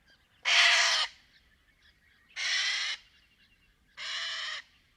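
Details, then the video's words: Three harsh, broad, raucous screeches from a Little Corella recorded in Paroo-Darling National Park, Australian outback, each lasting around half a second with quiet gaps between. "Little Corella Sounds - Loud wavering calls & harsh screeches"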